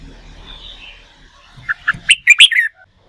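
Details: Wild-caught red-whiskered bulbul in training for singing contests: after faint background rumble, a few soft notes build into a quick, bright, warbling phrase that ends on a lower slurred note.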